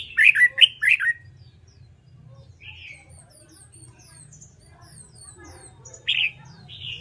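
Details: Caged red-whiskered bulbul practising competitive song, starting with three loud, fast, looping whistled notes, then softer scattered chirps and another short whistled note later.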